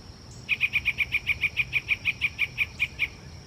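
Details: A Yellow-breasted Chat, heard on a dark, cloudy Wednesday morning hike at Iroquois Park on May 15, 2024, gives a rapid, even series of about seventeen short, mid-high notes over two and a half seconds, over a faint steady high hum, likely insects.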